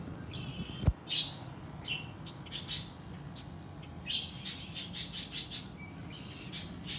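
Red-winged blackbirds give short, harsh check notes, quickening to about two a second near the end, over a steady low rumble and one sharp knock.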